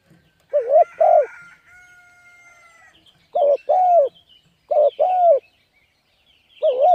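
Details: Spotted dove calling to lure wild birds: four paired coos, a short quaver followed by a longer falling note. A long flat whistled tone runs between the first phrases, and a crowing-like sound appears faintly.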